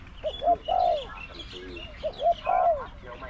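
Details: Caged decoy spotted dove singing against wild birds in a trapping session. Two phrases of soft low coos: brief clipped notes leading into a sustained falling coo. Light background chirps.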